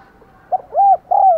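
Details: Decoy spotted dove giving thúc gù and gáy gọi coos to lure wild doves: a short soft note, then two loud, arched, hollow coos in quick succession, the last one drawn out and falling.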